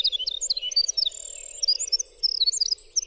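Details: High-pitched winter wren song, a continuous rapid torrent of squeaky, tinkling notes that jump up and down in pitch without pause. A low steady hum is audible behind it.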